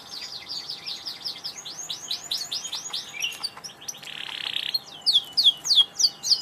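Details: Canary song, fairly quiet at first with repeated curved whistles and a short buzzy passage, ending in a run of louder sharp descending notes.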